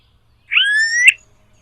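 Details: Smooth-billed ani in a wild flock of about ten foraging on a vacant lot in Brazil: a single drawn-out, whining whistle, sliding down then rising sharply at the end, nothing else audible.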